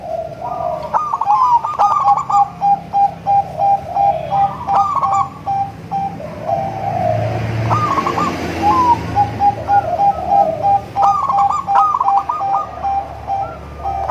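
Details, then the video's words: Zebra dove song, local, crossbred and Bangkok types, a melodious song used to lure zebra doves at home: rolling trilled coos then a run of even, clipped mid-pitched notes. Several phrases, with a hissing patch mid-way. "suara merdu untuk memancing perkutut anda"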